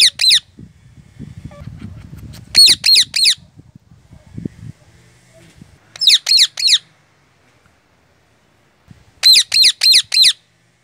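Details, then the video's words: A pet ring-necked parakeet's scream, which the owner notes is quite loud: harsh screeching bursts of four to five notes every few seconds, with faint low rumbling and handling noise between. "O Grito do Ring Neck!"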